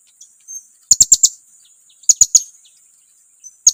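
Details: Provoking lure call of the blue-crowned hanging parrot: two clusters of four sharp, very high chirps about a second apart, faint softer sounds between, and a single chirp at the close.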